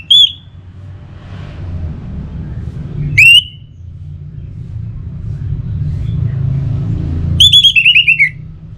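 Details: Pacing song from a kept orange-headed thrush: an isolated clear whistle, a sharp upslurred note, then a quick descending series of rapid whistled notes, set against a persistent low rumbling hum.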